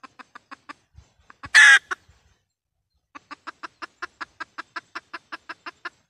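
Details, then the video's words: Red junglefowl hen call used as a trapping lure in Vietnam. A few soft clucks lead to one loud rasping squawk, then a quick steady series of about fifteen clucks. "tiếng gà mái mồi kêu"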